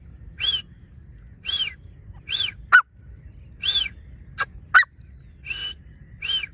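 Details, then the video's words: Partridge known as Dakhni teetar repeating a clear arched whistled note roughly once a second, interrupted by a few sharp clicks or knocks. "teetar ki awaz"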